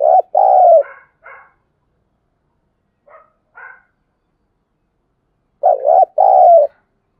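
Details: Spotted dove calling at dawn with repeated low two-part coos, a wavering note then a steady one. Short bursts of quieter, clipped notes come between them, and another coo pair follows after a few seconds.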